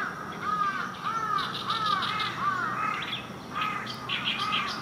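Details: Oriental reed warbler singing on the morning of 9 June 2023, around 09:30: a run of harsh, grating, arched notes, about two per second, with higher scratchy chatter in between.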